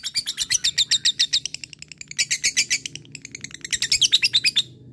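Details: Fighter lovebird in energetic 'ngekek' chatter at a rival: three bursts of rapid, harsh, high chips, each about a second long, separated by brief gaps, shrill and rattling throughout.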